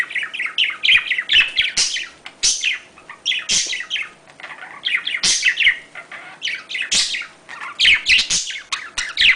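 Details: Budgerigar mating sound, played to encourage breeding: soft warbling mixed with loud, harsh chirp bursts and sharp clicks, with a brief quieter stretch midway.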